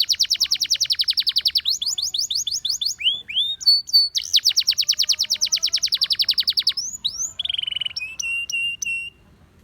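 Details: Gloster canary in full song: long rapid rattling trills of bright notes, broken by a few rising whistles, then a second extended trill and a closing buzzy, level note with short high chips.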